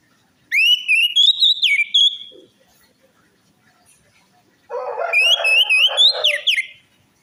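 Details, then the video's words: Orange-headed thrush singing, used as a lure to restart a silent or stressed bird: a rising, sweet whistled phrase, a pause, then a fast warbled run with a rough, noisy rattle beneath it. "pancingan Anis merah macet bunyi,males bunyi atau stres"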